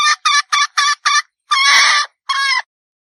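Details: A red junglefowl hen gives five quick, clipped clucks, then a drawn-out nasal squawk and a shorter final note, like a cackling farmyard hen.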